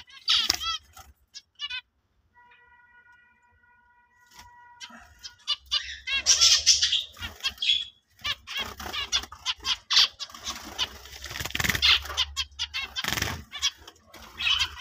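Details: Adult male breeder zebra finch, black-faced and orange split, ready to breed, giving nasal, buzzy chirps and rapid harsh notes, with wing flutters throughout.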